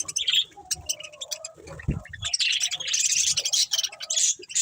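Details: Budgerigar breeding pair chirping: a mix of clicks, a softer lower warble, then a sustained stretch of bright buzzy high chatter.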